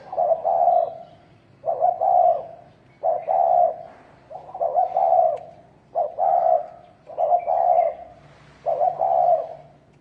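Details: Spotted dove calling, described as a fighting call from a field dove: a series of low, throaty, two-part coos, each phrase about a second long, repeated roughly every one and a half seconds, clear and close with little background.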